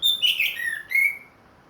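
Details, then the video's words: Orange-headed thrush, a ringed cage bird back in song after moulting, delivers one rapid phrase: a high note sliding down into a warbled slur, then a clear level whistle. "MERANGSANG ANIS MERAH BUNYI PLONG"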